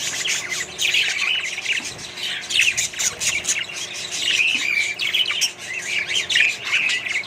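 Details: Budgerigar colony mixed with other birds: a continuous tangle of high chirps, short squawks and warbled notes, several birds calling at once throughout.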